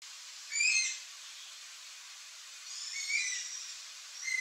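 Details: Yellow-headed caracara, wild bird, calling: two drawn-out, shrill screeching notes with strong overtones, the first near the start and a longer, wavering one after a pause of about two seconds, on an otherwise quiet background.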